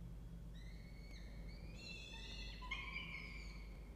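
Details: Peregrine falcon family in a nest box in a water tower in Orange, New South Wales, Australia, early November morning. A thin harmonic whine slowly climbs in pitch, then several overlapping wailing notes follow over a constant low hum.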